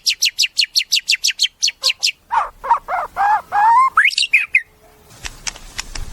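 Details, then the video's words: Caged white-rumped shama opening with a rapid series of sharp repeated chips, followed by lower harsh rising notes and a few whistles. "Suara Murai 1 Juta Ini Ngalahin Murai 10 Juta"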